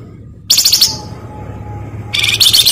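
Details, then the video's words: Flamboyan bird giving two short bursts of harsh, buzzy song with a faint steady tone and a low hum between them. "Suara Bagus Rawatan Bagus / Burung Flamboyan"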